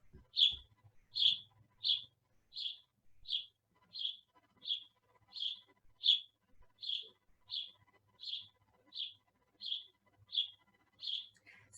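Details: A small sparrow, a little brown bird common at bird feeders, gives a steady run of about seventeen bright, high chirps, one roughly every two-thirds of a second, with faint low rumbles beneath.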